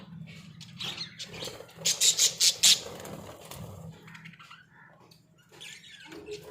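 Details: In a small cage, Australian budgies are mostly quiet apart from soft scratchy sounds, then a quick run of four or five loud, sharp high chirps, followed by faint chatter.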